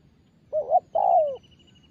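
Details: Young spotted dove in training to coo: one short coo followed by a longer, drawn-out falling coo, low and hollow, with a faint thin high tone in the background.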